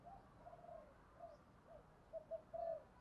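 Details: Decoy spotted dove cooing to attract wild birds. Soft, distant-sounding low coos drift along, then two short clipped notes end in a clearer rolling coo, all over a hissy background.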